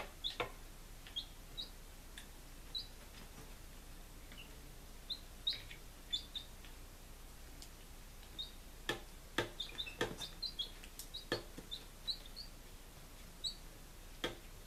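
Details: Day-five chicks recorded 23 July 2017 in Lunenburg, Massachusetts: thin, high single peeps spaced irregularly, with a burst of loud clicks and knocks near the end.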